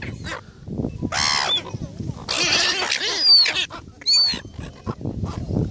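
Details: Gulls squabbling over food give loud, nasal, harmonic squawks in irregular bursts, some drawn out and falling, interleaved with brief shrill squeals and low scuffling noise between calls.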